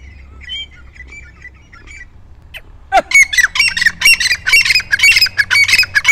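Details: Grey Francolin (dakkni teetar), a bird bred in villages and mountain areas of Pakistan and India. After quiet faint chirps, loud harsh squawking notes burst in and repeat rapidly in an uneven, excited series, with faint music behind.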